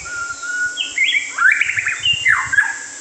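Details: White-rumped shama singing: a long plain whistle, then a run of clear slurred whistled phrases jumping between pitches, some rising and falling, a rich melodic sequence; faint low knocking underneath.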